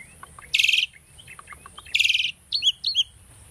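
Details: Pet Asian starling singing as a training song: two loud grating buzzy phrases with faint soft clicks between, ending in two short twittered notes; constant high hiss behind.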